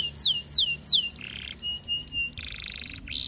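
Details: Canary courting a hen, its song used as a lure for other canaries: three sharp falling whistles, then steady buzzy tones broken by short high pips.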